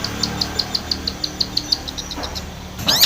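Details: Long-tailed shrike, a lure recording meant to goad a silent bird into singing: a string of short, evenly spaced high pips, about six per second, fading out before a brief harsh rasp at the end.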